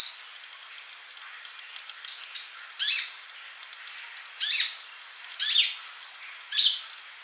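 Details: Sunbird song meant for tutoring caged birds: single sharp, very high chips with buzzy tails, spaced roughly every half second to a second, over a quiet background.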